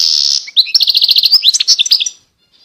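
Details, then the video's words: A European goldfinch sings a rapid, tinkling run of bright, high twittering notes after a brief buzzy opening, nearly two seconds of liquid chatter. "Chant De Chardonneret"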